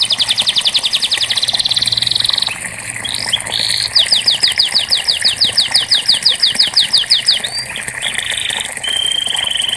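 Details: Canary song aimed at coaxing a reluctant singer: quick repeated notes merging into a dense buzz, a looping whistle, then a long series of evenly spaced down-slurred notes, finishing with flat whistled tones.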